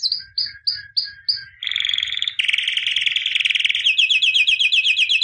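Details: White albino canary song: five evenly spaced downslurred chips, then a harsh rattling tour building into a rapid, loud rolling trill with repeated upswept notes.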